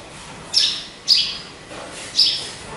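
A sparrow gives three short, bright chirps about half a second apart, then a pause and one more; quiet hiss behind.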